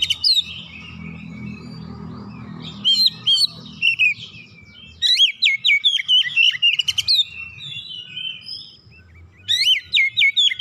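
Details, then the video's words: Caged Oriental magpie-robin, stirred by hearing another bird, sings forcefully through its repertoire: repeated bursts of loud, jerky whistled notes in fast runs, separated by brief quieter pauses and soft warbles. "KACER RUMAHAN MENDENGAR LANGSUNG NGOYAK BONGKAR ISIAN"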